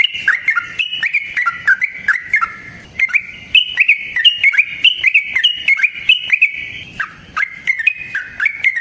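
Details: Yellow-vented bulbul (trucukan) singing in the 'ngalas ropel panjang' long rapid style, natural sound used as a lure for other trucukan: lively chattering phrases of short, bubbly, warbled notes, rising and falling, repeated almost without pause, with brief gaps.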